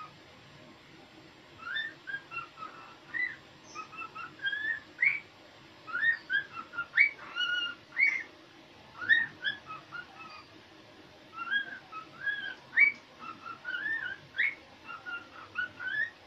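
A cockatiel whistles a lively song of rising and falling notes in quick, repeated phrases.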